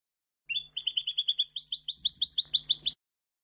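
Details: Tutoring recording of European goldfinch song for young goldfinches: a rising start, then long fast runs of repeated liquid twitters in two distinct patterns, with a soft low hum in the background.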